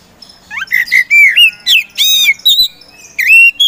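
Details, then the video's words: Kept poci magpie-robin, a contest songbird used to provoke quiet birds into singing, pours out clear slurred whistles, some rising and some falling, broken by short gaps and a few harsh squeaky notes. "KACER POCI GACOR SANG PROVOKATOR"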